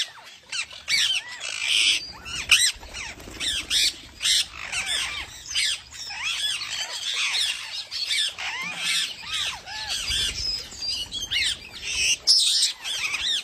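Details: Parrot giving its own natural chirping sound rather than copied voices; a continuous stream of harsh, rapidly rising and falling squawks and chirps, with dense overlapping notes throughout.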